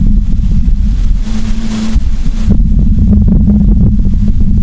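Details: Heavy low rumble of wind buffeting the microphone mixed with engine-like vehicle noise, with no animal calls heard.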